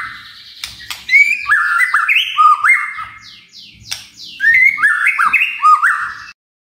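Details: Caged magpie-robin singing continuously, used as a lure to set other birds singing: varied whistled phrases stepping up and down, with short slurred notes between bursts and a brief pause midway.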